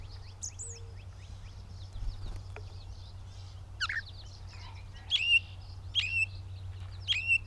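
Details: Gray catbird recorded in Bowdoinham, Maine, on 16 May 2020: three sharp, bright chip-like notes sliding downward, spaced about a second apart near the end, after faint varied chirps from other birds and a steady low hum.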